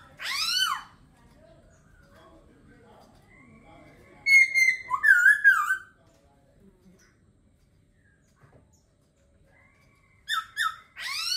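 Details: Laughingthrush song: a sharp falling whistle at the start, a dense tumbling phrase of warbled and looping notes in the middle, and two rich downslurred notes near the end.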